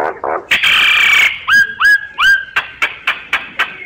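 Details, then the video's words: Myna song: a few short rough notes, a long harsh buzzy phrase, then three hooked whistles rising and falling, and a quick run of sharp clicking notes. "Tiếng chim Sáo hót giọng chuẩn hay"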